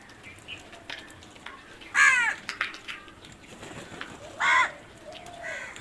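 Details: Crows outdoors giving two loud, harsh caws spaced about two and a half seconds apart, with softer calls and faint other birds in the background.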